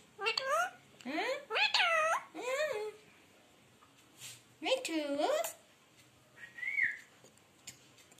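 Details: Pet Indian talking parrot indoors, imitating human speech. Several rising, sliding harmonic phrases come in quick bursts, then a short high whistled note after a pause.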